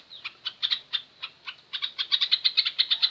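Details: Sooty-headed bulbul song used as a training lure to prompt other birds to answer: short high chirpy notes repeated in loose bursts, speeding into a quick bubbling run of around a dozen bright notes.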